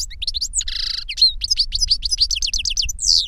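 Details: Older goldfinch singing to instruct a younger bird: a dense, tinkling run of fast chirps, a brief buzzy trill, then a string of rapid repeated downward-slurred notes, lively and nearly unbroken.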